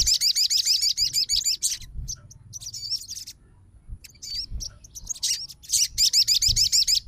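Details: A fighter sogon reacting at once to another sogon's song: quick, regular high-pitched trills of looping notes, a quieter stretch of scattered chirps, then renewed rapid trilling, over faint low hum.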